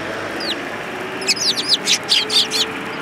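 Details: Eurasian tree sparrows arriving to take food at a Tenmangu shrine, 19 January 2022: after a quiet start, a run of bright, high chirps repeats about twice a second, with a faint earlier chirp and steady background hiss.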